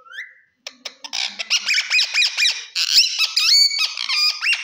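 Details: Green talking parrot giving a rising whistle, then steady rapid chatter of harmonic squawky syllables at about one and a half per second.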